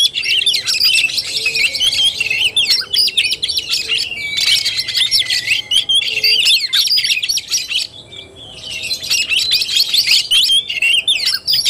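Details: Kacer tarung, the Oriental magpie-robin's fighting-style song, 17 August 2021: nearly unbroken, dense, scratchy twittering and chattering with fast slurred whistles. There is a short pause around the eighth second.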